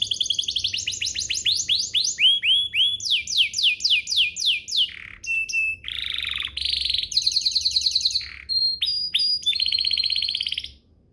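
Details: Canary singing to prompt other canaries into song: rapid series of rising and falling slurred notes repeated in rolls, then short whistles, buzzy trills and a fast rattle, continuous and high-pitched.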